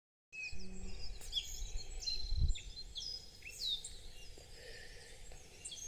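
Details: Birds singing on the lower slopes of Mount Tokachi, Hokkaido, outside a mountain lodge, recorded at low volume: several clear high whistles and quick rising and falling notes overlap over a low rumble with a dull thump midway.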